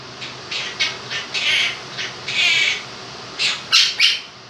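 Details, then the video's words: Pet Quaker parrot, a two-year-old male, giving his take on 'If You're Happy and You Know It' indoors: short raspy notes and two longer drawn syllables, ending in three sharp chirpy bursts over a constant fan hiss. "Quaker Parrot sings 'Happy And You Know It'"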